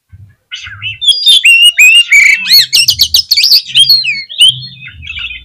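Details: Oriental magpie-robin song used as a lure to rouse other magpie-robins into high excitement: loud, rapid run of varied whistles and sharp chirps, many notes sweeping up and down, with a faint low hum beneath.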